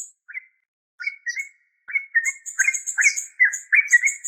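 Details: Trucuk, or yellow-vented bulbul, starting with a few isolated chirps that build into a busy bubbling chatter, accompanied by persistent thin high squeaky notes.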